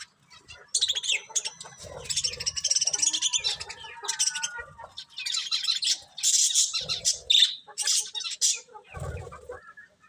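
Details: Several colourful budgies chirping together: a busy stream of high warbling twitters, short rasping notes and thin whistles, nearly continuous across ten seconds, with some soft fluttering and low thumps in the background.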